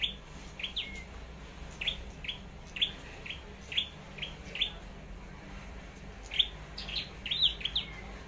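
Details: Decoy-in-training red-headed flowerpecker from Long Thành in competitive singing: bright, clipped high chirps in loose runs, several a second at times, with brief gaps, over a low hum.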